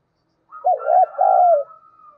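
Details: Captive spotted dove decoy in the 'giọng thổ' style, calling to stir rivals into cooing: one phrase, a short note then a drawn-out, slowly falling coo, with a faint steady higher tone behind.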